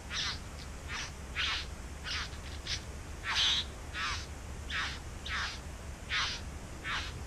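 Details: Bowerbirds singing while nesting in a back yard; a series of short, harsh, hissing bursts repeated irregularly about every half second, with a low steady hum underneath.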